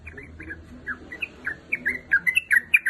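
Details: Sooty-headed bulbul female calling a male, with loose, slurred two-part notes starting sparse and quickening into closer, brighter chatter at the end.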